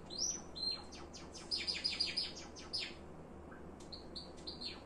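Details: Java sparrow song: a rapid run of fine, high descending ticks and clicks, many per second, delivered in a bubbling burst, followed by short flat whistled tones at an even pitch.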